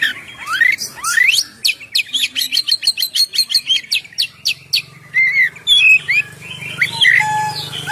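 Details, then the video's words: Oriental magpie-robin song used for luring birds and getting them to sing: rising whistled slurs, a long fast series of evenly repeated sharp notes, then varied fluty whistles and trills over a low steady hum. "suara Kacer ngeplong"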